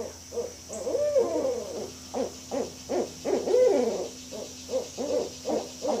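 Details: Barred owl giving a run of short hoots, with a couple of drawn-out arching notes between them. Rhythmic pulses come about every half second, and a faint constant hum sits in the background.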